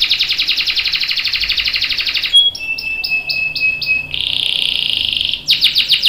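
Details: Domestic canary giving a long rolling song, used as a lure and tutor for young and adult canaries: a fast buzzy trill for about two seconds, then short clear whistles and a steady high tone, ending in another rapid trill.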